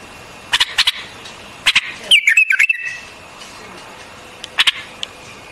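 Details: A white-eared bulbul gives a few abrupt clicking notes, then a short fluid warble with rising and falling twists, followed by quiet and two more clicks near the end.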